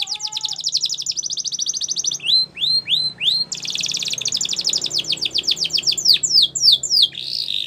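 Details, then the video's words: Master canary song used for training other canaries to sing: rapid high trills of repeated notes, then a few slow swooping downslurred whistles, then a dense buzzy rolling trill breaking into fast falling notes. "Your Canary Will Sing A Lot With This Voice | Master canary"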